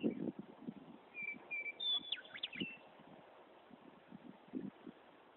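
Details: Meadowlark singing loudly from a tree in Wyoming: a short run of clear whistled notes, then a quick slurred, tumbling phrase. Low thumps of handling noise come and go underneath.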